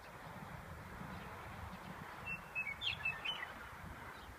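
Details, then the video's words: Western meadowlark singing in spring in Colorado; a short burst of clear, fluting, jumbled whistled notes lasting about a second, rising and falling, heard at a distance over a low rumbling background. "The sound of spring in Colorado: the Western Meadowlark"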